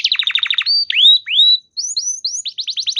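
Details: Canary song to prompt other canaries: quick burst of repeated chips, two long rising-falling whistles, short high upslurs, then a fast rippling series.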